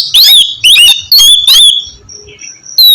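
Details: Oriental magpie-robin (kacer) song, kept bird, used to stimulate a slow or silent bird to sing; loud bursts of rich whistled, slurred phrases with harsh buzzy notes, repeated about every half second, then thin high whistles before another burst.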